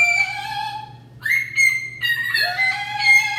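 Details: Pet macaw producing long, sustained whistled notes in a sing-song sequence, held tones broken by short pauses and a sliding upward step near the end, clear and musical over a low steady hum.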